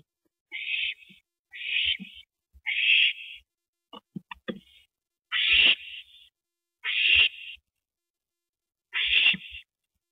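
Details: Owl at the nest as a rabbit is delivered to its mate, evening of 19 April 2012. Seven hissing screeches of about half a second each repeat at uneven one- to two-second gaps. A cluster of clicks and knocks falls midway.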